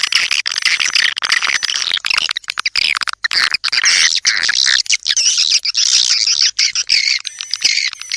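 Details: Swiftlet calls: a continuous busy twittering of quick chirps and buzzy notes, many overlapping, with faint long high tones running beneath.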